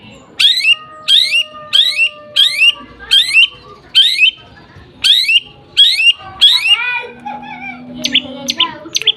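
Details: Lovebird singing, used as a tutor song: loud, sharp downward-sweeping chirps in paired bursts about every 0.7 seconds, ending with a few higher squeaky notes and a soft low chatter.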